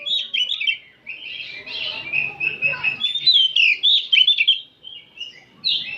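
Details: Several oriental magpie-robins singing in the afternoon, giving clear whistled phrases and quick trills in short bursts with brief gaps between them.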